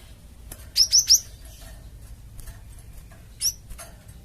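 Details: Java sparrow calling to prompt replies from other birds: three quick, high, rising chirps, then a single fainter chirp after a pause, over a steady low hiss.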